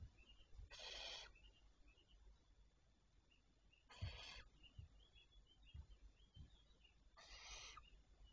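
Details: Barn owls recorded on 27 May 2023 at 07:52: three harsh, hissing screeches about half a second long and spaced a few seconds apart, with faint chirps of other birds and a low background rumble.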